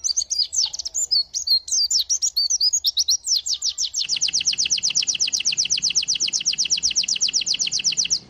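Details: Varied twittering and chattering phrases from a white-eye give way to a long, even, very fast trill of repeated slurred notes at high pitch.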